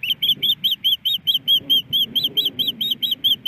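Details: Hungry female osprey at a Montana nest, Hellgate Canyon, April 28, 2019, pleading for a fish from her mate: quick, piercing whistled chirps about two per second over a steady low rumble.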